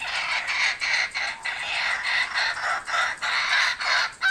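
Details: Kookaburras back at an Australian home, recorded on GoPro and Fujifilm cameras; steady harsh cackling phrases repeated roughly three times a second, loud and raucous throughout.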